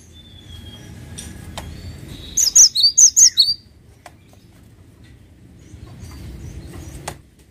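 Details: Cinereous tit singing a short, loud burst of about five sharp, high whistled notes paired in quick two-note figures. Quiet background with faint clicks before and after.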